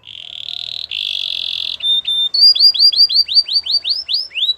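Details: Belgian canary song for training canaries: buzzy sustained trills, two short notes, then a rhythmic series of rising upswept whistles, about three each second.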